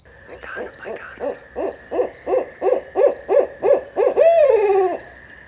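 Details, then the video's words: Long accelerating series of barred owl hoots at night, a dozen short notes ending in a loud, drawn-out, falling hoot. A steady insect tone and a second fainter whine sit behind them. "Barred Owl Hooting at Night"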